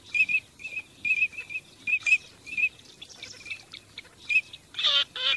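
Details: A teal flock on migration giving bright, short whistles in runs of two or three, ending with a couple of louder, rasping nasal calls.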